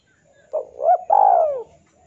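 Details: Male spotted dove calling to a rival, a call used as a lure for trapping: a single soft, low cooing phrase in three parts, with a short hooting start and a longer drawn-out, falling final coo.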